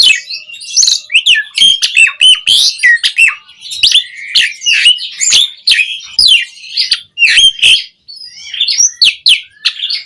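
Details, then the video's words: Asian pied starling in long, continuous song used to get caged birds singing: a dense stream of chattering whistles, clicks and rasping squawks with very few pauses throughout. "Suara Burung JALAK SUREN GACOR Full Isian Pancingan PENDONGKRAK Emosi Burung Jalak Agar Cepat Gacor"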